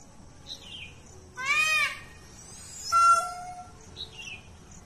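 Two loud, harmonic peafowl calls, each under a second: a wailing arched cry, then a flatter nasal one. Faint small-bird chirps sound in between.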